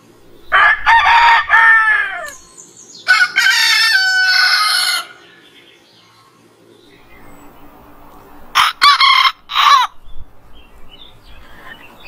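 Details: Morning crowing by a rooster. A broken, stuttering crow is followed by a longer, sustained crow. After a quiet pause, a few short, sharp crow-like bursts come near the end over low background rumble.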